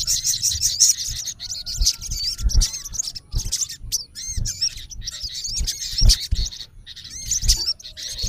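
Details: Olive-backed sunbird, a male calling a rival, giving intermittent high chirps and small curling whistles in loose bursts, over noticeable low-pitched thumping and rumbling noise.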